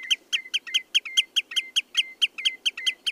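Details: Common redshank giving a fast series of sharp, high, piping notes, about five per second, each with a brief falling whistle tail, repeated steadily throughout; quiet low background murmur.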